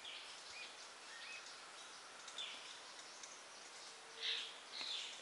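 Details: Olivaceous Piculet in the forests of Finca El Abuelo, Rivas, Nicaragua, giving thin, high squeaky notes, a few short bursts spaced irregularly, over a steady hiss of background noise.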